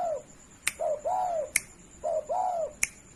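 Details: Tame spotted dove, kept without a cage, calling steadily for use as a master recording to train other birds. Soft hooting coos in paired phrases, a short note then a longer arched one, repeating twice, with sharp clicks between phrases.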